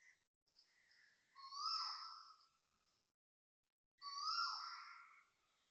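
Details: Asian koel calling loudly at 6.43am on Saturday, 20 December 2025, at Toa Payoh Lorong 8, Singapore. Two loud, rich call notes a few seconds apart, each with a bright sliding tone. Softer lead-in notes come before them. No other sounds are heard.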